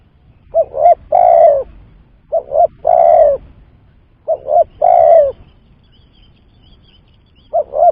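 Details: Spotted dove coo used to lure birds into traps, phrases repeated roughly every two seconds, each a double short note and a long, falling coo, with a fourth phrase starting at the end.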